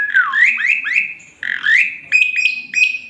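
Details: Male Asian pied starling singing vigorously with a full repertoire, used as a master song for training other birds: a run of rising, slurred whistles, a brief pause, then steady high whistled notes broken by short upward flicks.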